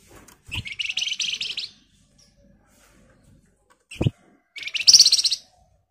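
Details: Red avadavat singing vigorously in a dense, rapid trill, used as a lure to make other birds answer; two buzzy, pulsing high bursts about a second each, separated by a dull thump and quiet.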